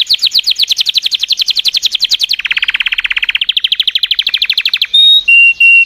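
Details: Singing canaries: a long run of rapid, evenly repeated high trill notes shifts down to a lower, faster rattle, climbs again, then ends on three drawn-out pure whistles.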